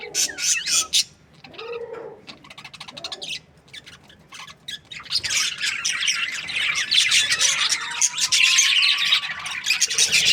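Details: Budgerigar breeding pairs: scattered sharp chirps and clicks at first, a short lull, then rising, thickening chatter with one long, thin whistled note running through the busy warbling.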